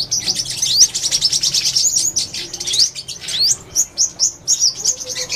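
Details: Rapid high twittering from a purple-throated sunbird: dense sharp chips mixed with a few longer sweeping squeaks. Short bursts come in pulses that become more spaced toward the end; quiet background.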